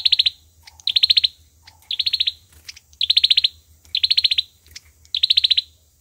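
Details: Olive-backed sunbird lure bird delivering fighting song: six evenly spaced bursts of rapid, piercing, high ticking notes, each under half a second, with occasional faint lower notes between.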